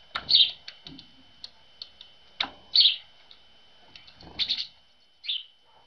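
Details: Early-rising tits at a winter-morning feeder following a cold night; bright high chirps in short clusters every second or so, mixed with sharp clicks and tapping sounds.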